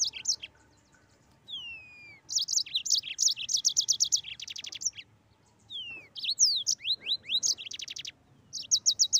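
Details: Mozambique canary in rolling 'gacor ngeroll' song: high sweeping down-slurred whistles lead into fast trilled note series and buzzy chirps, delivered in two long outbursts separated by a short pause, faint low background hum.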